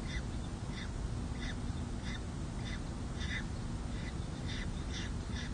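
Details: San Jose City Hall nest of peregrine falcons, 2 May 2024, with newly hatched chicks and their first feeding. Short, thin chipping notes recur roughly every half second beneath a strong constant noise.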